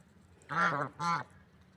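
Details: Affectionate pair of swans in the wild, two soft nasal honks about half a second apart over a quiet background hum.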